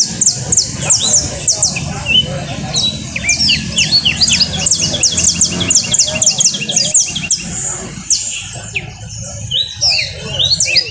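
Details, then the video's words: Canario costeño, or saffron finch, delivering a long run of rapid high chips and trilled phrases, some series speeding up, with brief lower whistled notes; steady low background hum and murmur throughout. "canto de canario costeño"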